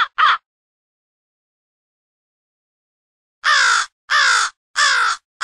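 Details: Studio mix of crows from two separate groups, excited and gathering for an early morning huddle. Two short harsh caws, three seconds of silence, then four long, hoarse, drawn-out caws in steady succession.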